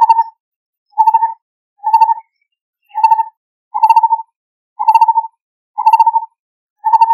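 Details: Lineated barbet calling for a mate, giving mellow, throaty hoots, each a quick bubbling trill, repeated steadily about once a second; no other sounds stand out.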